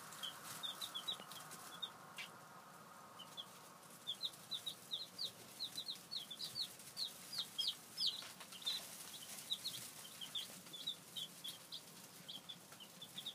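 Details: Day-old Brown Leghorn pullet chicks peeping: short high chirps in quick irregular bursts, several birds calling over one another, over a steady low hum.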